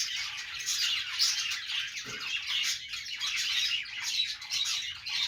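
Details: Budgies playing together produce nonstop shrill twitters and chirps, with rasping squawks scattered through the overlapping chatter.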